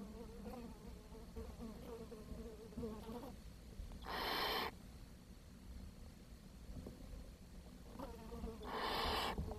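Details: Barn owl young at the nest in June 2023, after the smallest chick died from lack of food. Two rough hisses stand out, spaced several seconds apart, over a faint steady buzz.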